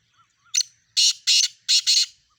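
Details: Black francolin calling, a loud harsh series: one short note followed by four broad, buzzy, grating bursts in two pairs, strong in the upper range, over near silence.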